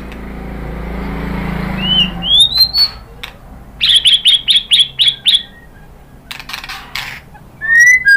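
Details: White-rumped shama singing to prompt other shamas to reply: a few rising whistles, then a quick series of about seven sharp, high repeated notes, ending with another slurred whistle.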